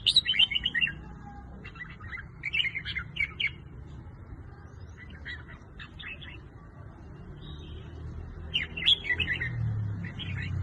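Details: Red-whiskered bulbul singing: short bright warbled phrases in bursts, rising and falling, repeated with pauses between them, over a steady low background hum.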